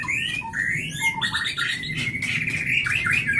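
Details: Captive-bred white-rumped shama of Leuser lineage from Pining, Gayo Lues, Aceh, known for sharp mimicked notes and long breath; loud flowing song mixing fluty slurred whistles, quick chirps and squeaky trills without pause, over a low background hum.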